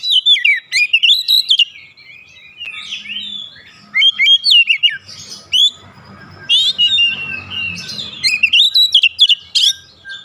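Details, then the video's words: Oriental magpie-robin, stirred up and singing its learned filler phrases: loud bursts of mixed whistles and harsh chirps, about four notes a second, with a soft rustling hiss between bursts. "PANCINGAN cepat Kacer emosi bongkar isian"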